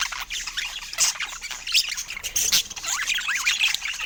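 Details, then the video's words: Pet budgie chatter: loud, fast warbling with sweeping squeaks, harsh buzzes and chirps tumbling together in quick bursts, sometimes cut by brief sharp squawks. "Funny Budgie Sounds Full of Love"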